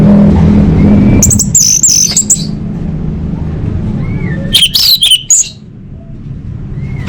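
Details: Orange-headed thrush song used as a lure to make caged birds sing: two bursts of rich, fast, slurred whistles and high sharp notes, separated by a pause, over steady low rumbling background noise.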